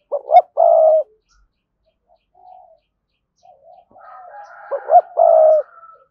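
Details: Spotted dove singing to lure a wild rival, thúc gù style: a clipped double note leading into a sustained low croo, twice, with softer answering coos and a higher faint whistle-like tone between phrases.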